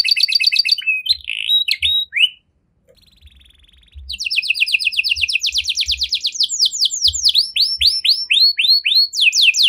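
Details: Canary delivering a fancy cengkok song to stimulate other canaries: opening trills and a flat buzzy phrase, a short quiet gap, then a long rapid rolling trill that breaks into looser downslurred whistled notes.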